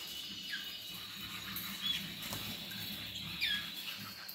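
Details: Gheling-line Roller canary delivering a sustained, even, high rolling tour. Brief upward chirps and short rising slides appear near the second and three-and-a-half second marks, over low background murmur.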